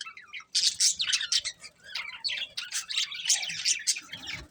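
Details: Budgerigars chirping after a short quiet start: fast, scratchy high twitters and squeaky warbled notes running almost continuously.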